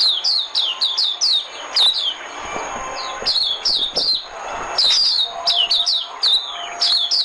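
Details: White-eye singing as a trapping lure: quick series of sharp, high descending chirps strung into lively twittering phrases, with a brief quieter gap mid-clip.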